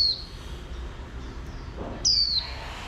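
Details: Oriental white-eye female, calling to stimulate males, gives a short high note followed by one clear, thin descending whistle, against quiet steady background noise.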